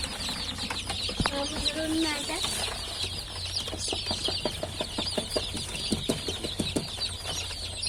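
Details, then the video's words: High, bright peeping from a crowd of newly hatched chicks runs throughout. A person speaks briefly early on, and a series of sharp clicks and taps punctuates the chorus over a low hum. "Civciv Sesleri Gelmeye Başladı!!"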